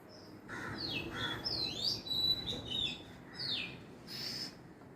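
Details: Oriental magpie-robin, the adult mother of a hand-raised chick, calling from nearby while perched on a wire; clear whistled notes sweeping up and down, given in short bursts with brief gaps, over a quiet background.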